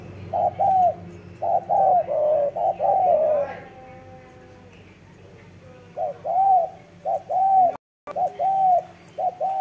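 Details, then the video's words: Spotted dove cooing vigorously: several groups of low, rounded coos, a quiet stretch, then more paired coos, with a brief murmur of voices and a short dropout. "CHIM CU GÁY SIÊU GÙ"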